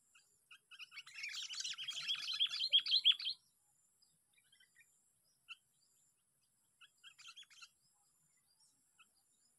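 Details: Sooty-headed bulbul, a trapped bird on day six of sparring, in a park: a loud, rich, chattering outburst of about two and a half seconds, then silence broken by short chirps and a softer later phrase.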